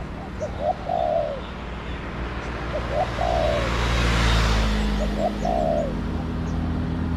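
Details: Wild spotted dove calling toward a decoy in garden surroundings, repeating its phrase three times about two seconds apart, each a pair of short hoots and a drawn-out, descending coo, with faint high chirps and a low droning sound between.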